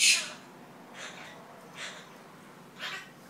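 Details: Pet monk parakeet talking nonsense: a loud, sharp squawk opens, then three softer scratchy syllables follow at roughly one-second intervals against a hushed indoor background.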